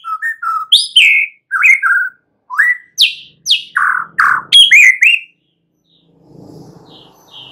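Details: Young wild forest white-rumped shama singing a lively run of loud, varied whistled phrases, some rising, some sliding down, mixed with sharp high notes, then a brief faint murmur after the song ends.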